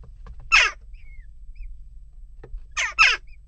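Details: At a nest box amid ongoing unrest, a western jackdaw gives one rasping call, a thin whistled note, then a quick double harsh call; faint low hum throughout.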